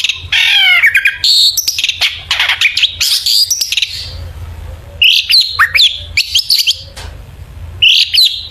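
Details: Long-tailed shrike in energetic full song, used as a lure to make other shrikes sing: rapid chirps, sharp high notes and buzzy, warbling phrases in bursts, with short pauses between groups.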